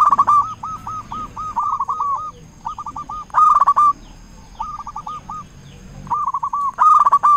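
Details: Zebra dove of a local strain singing strongly with a big voice, as a lure for other doves: rapid runs of short, clipped, hooked coo notes in repeated bursts separated by brief pauses, one louder rough phrase.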